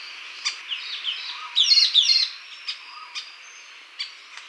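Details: Sultan tit (Vietnam) calls with a burst of sharp, high chattering notes and squeaky whistles, plus short clicks about every half second; light background hiss.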